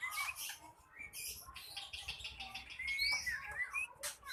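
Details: Angry singing of an ekor pendek contest bird that provokes rival birds. High scratchy chatter with thin rising whistles plays over a noisy, hissing background.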